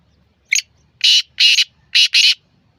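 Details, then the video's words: Black francolin (kala teetar), 12 February 2024: a short thin note followed by four loud rasping notes in two pairs, over a quiet low murmur. "کالا تیتر کی مختلف آوازیں black Francolin voice"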